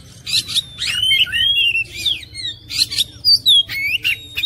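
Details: Oriental magpie-robin song used to provoke other birds: loud sweet whistles gliding down and up, interleaved with rasping buzzy notes, phrases following each other almost without a break.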